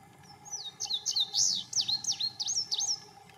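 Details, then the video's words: Indigo bunting in Denton, Texas, singing in the rain: a quick, high phrase of sharp down-slurred and sweeping notes, many paired, lasting about three seconds over a steady hiss of rain. "Indigo Bunting singing in the rain!"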